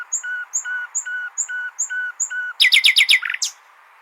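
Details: Nightingale phrase for goldfinch training: a slow series of six paired high and low notes, then a quick, loud rattle of stacked notes and a closing buzz.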